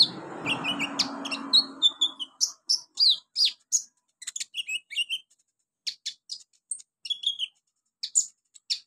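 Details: High, varied olive-backed sunbird chirps and twittering phrases from a training recording for beginner birds, opening over a brief rough rustling noise that fades after two seconds.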